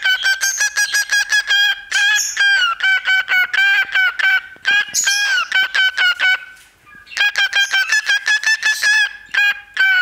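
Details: A male pet cockatiel whistles and chatters into a tiny microphone in fast bursts of bright, nasal, reedy notes.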